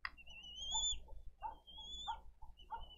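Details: Bald eagle chick in a nest filmed by a live camera in Dade County on 20 April 2023, asking for food: long, high, thin whistles that hold steady then drop at the end, three in a row, with lower husky notes beneath.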